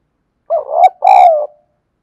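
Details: Spotted dove calling to draw in other doves, one loud two-note coo: a rising, wavering first part, a short pause, then a longer level coo trailing downward.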